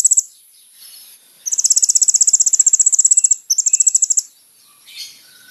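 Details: High, rapid ticking trills from a Van Hasselt's Sunbird, meant as a lure for response. A two-second run of even, bright notes is followed by a second shorter trill, then quiet with a faint distant chirp.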